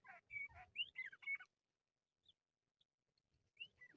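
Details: Crested lark used to lure birds for trapping: a rapid run of fluty, slurred whistles for about a second and a half, then near silence, then a few thin notes returning at the end.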